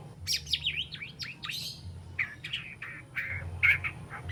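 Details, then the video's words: Juvenile white-rumped shama, three months old and still spotted, practising song with mimicked phrases, harsh notes and sharp bursts: varied slurred whistles and falling chirps, then scratchy mid-pitched warbles, over a steady low hum. "Murai Batu Trotol Jahat Usia 3 Bulan Belajar Bongkar Isian Besetan & Tembakan Tajam"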